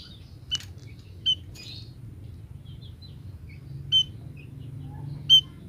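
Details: Female munia calling, said to bring males at once: scattered thin, high piping notes with small chirps in between, four clearer notes spaced irregularly over several seconds, against a faint low hum.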